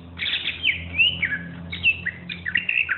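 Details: Champion greater green leafbird used as a tutor song: a run of sweet warbled and slurred whistled notes, rising and falling, with a low steady hum underneath.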